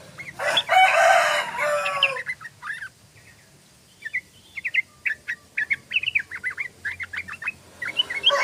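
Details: Harsh, loud broadband calling opens, then after a pause a tame sooty-headed bulbul starts its fast 'ropel' song, a lively series of short, clear whistled notes, several per second, rising and falling.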